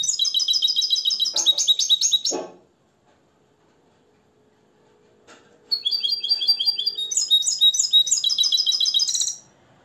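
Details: Hand-reared Moroccan European goldfinch trained in limpio song, delivering fast, ringing twitters and trills in two long bursts separated by a quiet gap of about three seconds, with a faint low hum beneath.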